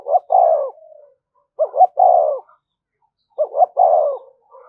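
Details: Spotted dove cooing as a lure for wild doves: three evenly spaced phrases roughly every two seconds, each two quick low hoots followed by a longer falling coo.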